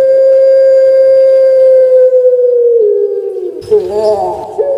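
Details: Captive Barbary dove (puter pelung, Streptopelia risoria) giving one long, drawn-out, mellow coo holding a steady low pitch for over three seconds, then sagging and breaking into rougher fragments.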